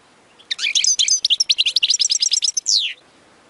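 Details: European goldfinch song used to tutor young birds: a continuous two-and-a-half-second run of fast, liquid twitters, tinkling trills and buzzy notes, ending in a sweeping downward slur.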